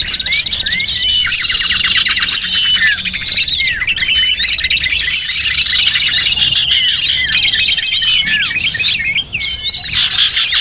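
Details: Small birds calling on a lure recording intended to pull them in: continuous busy chatter of high chirps, buzzy trills and slurred whistles, swelling in waves over about ten seconds.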